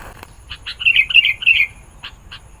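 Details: Sooty-headed bulbul singing to attract wild bulbuls: two short chips, a bubbly warbling phrase of slurred notes, then two more separate chips.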